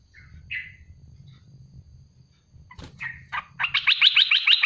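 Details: Merbah belukar, or olive-winged bulbul, with a couple of short whistled notes, a clatter, then a fast bubbling series of repeated bright notes in 'tembakan pedas' style. Steady low hum underneath.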